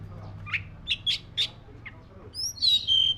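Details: Black-breasted Oriental magpie-robin singing: a run of short, sharp chirps rising in pitch, then high, clear whistled notes that slide and sustain at the end, over a steady low hum.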